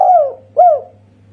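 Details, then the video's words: Spotted dove, a local Indonesian bird kept for cooing contests, giving a single-note 'kuk satu' call: two mellow, low hooting coos, each sliding down in pitch, about half a second apart, over a faint steady hum. "Masteran Tekukur Kuk Satu Suara Istimewa."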